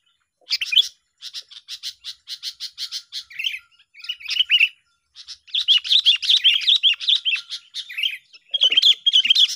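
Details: Sooty-headed bulbuls in a tense song duel, a sound used to lure birds: a steady series of sharp, evenly spaced chirps, then a long run of rapid bubbly chatter.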